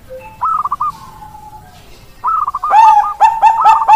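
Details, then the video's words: Bangkok-type perkutut (zebra dove) singing: a short rippling trill of quick notes, a long level coo, then after a pause another trill running into a string of loud, clipped, hooked coos repeated rapidly. "suara perkutut bangkok"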